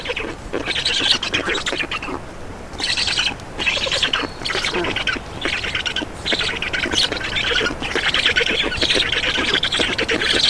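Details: Estonian Black stork chicks begging as they are fed at the nest, 2 June 2019 at 15:43; rough, pulsing squawks in bursts, a brief lull near three seconds, then near-continuous grating chatter.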